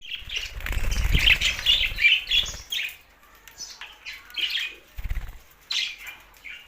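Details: Budgerigars chattering and singing, a busy mix of short warbled chirps and squawks in a rapid irregular run, with bursts of wing flapping.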